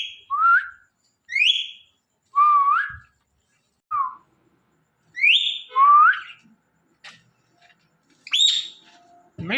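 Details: Thursday-night session of an Indian ringneck parakeet talking, short whistled and rising-falling word-like phrases repeated roughly every second, separated by silence, ending with a soft low sweep.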